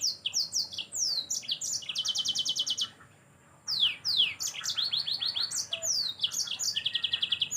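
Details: Continuous yellow-fronted canary song meant for training other songbirds: high buzzy trills alternating with quick downward-slurred whistles, one brief pause, then a long varied run ending in rapid repeated notes.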